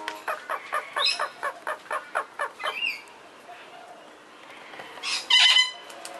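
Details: Princess Parrots kept as a captive pair, 2 May 2011, give a run of evenly spaced grating notes for about three seconds, then a pause and one short loud squawk near the end.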